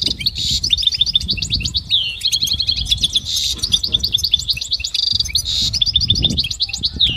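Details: Goldfinch motivational song for training: long continuous stream of fast twittering, trills and liquid chirps, punctuated by several harsh buzzy bursts and downward slurs.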